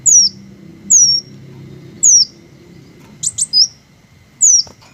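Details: Slow, well-spaced single high squeaks from green hummingbirds, each a thin note slipping downward, roughly one per second, with a couple of sharp clicks and low ambient rumble.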